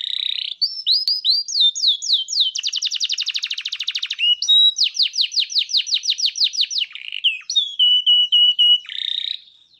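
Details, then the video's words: Canary in full 'gacor cengkok mewah' song, an Indonesian style of rich, ornamented singing: high whistled phrases, a fast buzzy trill, a rapid series of downslurred notes, then level repeated whistles and a final buzz. "Suara burung kenari gacor cengkok mewah"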